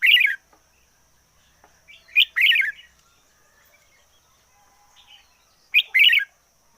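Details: Red-whiskered bulbul used as a decoy, singing hard: three loud, bubbling warbled phrases, one at the start, then after about two seconds and three and a half seconds, with near silence between.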